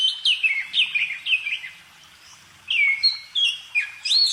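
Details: Bird singing a series of descending whistled slurs in a loose rhythm, pausing, then resuming with rising and falling phrases; faint low murmur underneath.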